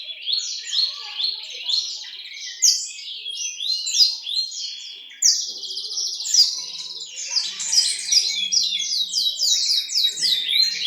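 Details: East Javan Horsfield's bushlark, noted as a keen singer, keeps up a continuous, rapid warble of sharp chirps and chattering notes. The song grows louder and denser in its second half.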